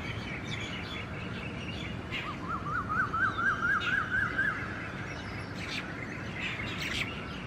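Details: Red-naped ibis, one of a pair feeding on the ground at IISER Mohali, gives a quick run of about ten short, nasal, slightly rising notes, about four a second, over steady outdoor background noise.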